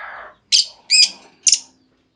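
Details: Female lovebird lure call for drawing long trills from other lovebirds; three sharp, squealing notes about half a second apart, following a soft low hiss.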